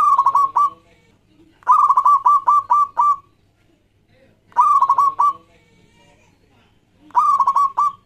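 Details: Zebra dove of local stock, a lively singer used as a lure: four cooing phrases in eight seconds, some long with five or six quick rhythmic notes, others short and clipped.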